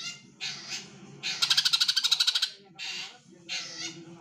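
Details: Female greater green leafbird call meant to coax males into song: harsh raspy squawks separated by pauses, with a rapid rattling burst of a dozen clicking pulses in the middle, low hum beneath.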